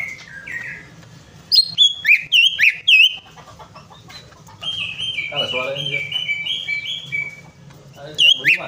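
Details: Prompting song of a greater green leafbird, meant to set a stalled bird singing again: clear, high, downward-swooping whistles in a fast run, a stretch of soft rambling warble, and a final pair of loud whistles.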